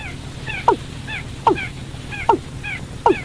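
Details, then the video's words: Lure recording of a watercock for catching birds at night: four emphatic notes, each dropping sharply in pitch and spaced under a second apart, with faint higher chirp-like echoes and a low background drone. "tiếng chim cúm núm 14 để bẫy chim đêm"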